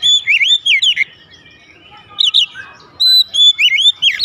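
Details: Loud gacor song of a home-raised oriental magpie-robin (kacer) replying at once: wavy whistled trills that swoop up and down, a pause, then a long clear steady whistle followed by more undulating phrases.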